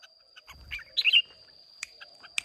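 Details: A wild-caught red-whiskered bulbul of Hoa Binh origin, singing in contest on 30 May 2023, delivers one quick cluster of loud, rich warbled notes amid soft clicks and a steady high tone.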